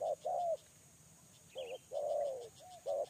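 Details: Spotted dove kept as a lure bird, cooing: low, soft hooting notes in a broken rhythm, two short coos, a pause, then a longer drawn coo and more short ones, with faint background hiss.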